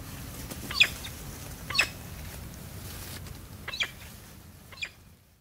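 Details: Female peregrine falcon, very vocal near the male, giving four short, sharp, high calls about a second apart, with a low rumble of background noise.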